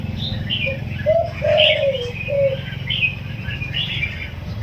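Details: Wild-caught spotted dove, 16 days in a cage, singing the 'yon kuk diao' single-kuk coo; one short low note, then a longer drawn-out hoot and a final short note, mixed with higher chirping from other birds and a steady low hum.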